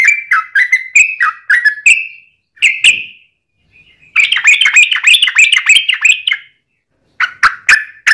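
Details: Sooty-headed bulbul in a fast rolling lure song to provoke other bulbuls: slurred whistled notes, a short gap, a dense bubbly chirping run, then several sharp single notes.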